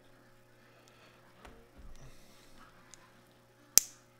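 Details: A quiet indoor room with faint ticks and soft rustling, ending in one sharp, loud click.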